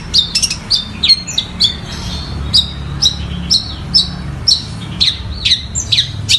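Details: Long-tailed shrike mimicking fighting sparrows and Tengkek Buto, delivering sharp high chirps with a downward twist, roughly one each half-second, fairly steady, against low background hum.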